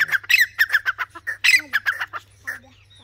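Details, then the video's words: Francolin calling with a rapid series of harsh, squawking notes, irregularly spaced and loudest around the middle, fading toward the end; a faint low hum runs underneath. "Teetar Voice | Teetar ki awaaz"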